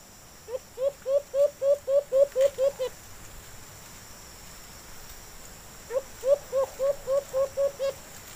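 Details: Responding to a kept decoy, a wild white-eared brown dove utters a run of about ten rising hoots, pauses three seconds, then repeats eight more at the same steady pace.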